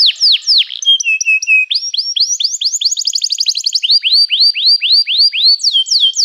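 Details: Canary in loud continuous song: sweeping downslurs, a brief low flat tour, then long runs of quick repeated rising-falling whistled notes.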